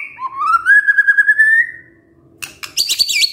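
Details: Murai batu lure to get a lazy male singing: one long, slowly rising whistle with a trilled texture, a pause, then a burst of rapid high chattering.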